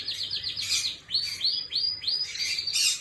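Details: Canary singing, recorded 11/5/25: a series of high, rapidly repeated slurred notes, each sweeping downward, delivered in quick rolling phrases with a faint low hum beneath.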